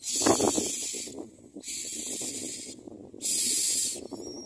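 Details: Three long, harsh hissing rasps, each roughly a second, come from common myna chicks gaping in their nest for food, separated by quieter stretches of low clattering noise.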